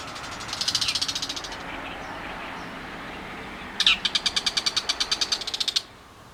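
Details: Loud, harsh, grating chatter from a bull-headed shrike. A fast rattling burst opens, faint thin notes follow in a quiet gap, then a longer, even rattle of closely spaced pulses runs for about two seconds.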